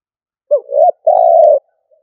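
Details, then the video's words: Decoy spotted dove in the stuttering 'cà lăm' coo style: one phrase with a clipped opening note sliding into a swelling coo, a short gap, then a long, even, low coo, in an otherwise quiet recording. "Cu gáy mồi gù cà lăm"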